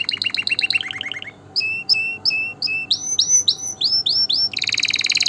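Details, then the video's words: Canary song played to stimulate males and females for mating and to tutor young birds. Rapid, high trills of repeated chirps change in pitch and pattern across several tours, ending in a dense, buzzy rolling trill. "تغريد طائر الكناري روعة لتسميع غناء كناري"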